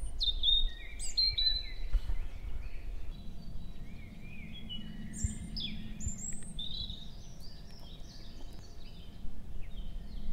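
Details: Male European robin in woodland at Hoher Peißenberg, early May morning at 7 a.m., female nearby; rapid run of high sparkling twitters and trills, several separate bright phrases tumbling one after another, with a low steady hum underneath.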